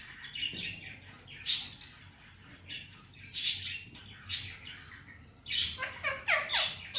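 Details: Pet male ringneck parrot saying Hindi-Urdu words: scattered raspy syllables, then a quick run of four or five sharp, sliding notes near the close.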